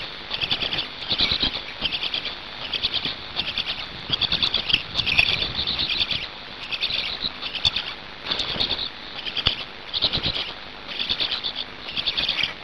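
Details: Black storks feeding at a Hungarian nest on 5 May 2019 at 17:02; shrill, stuttering chirp bursts come in quick succession, roughly one every second, above constant background hiss.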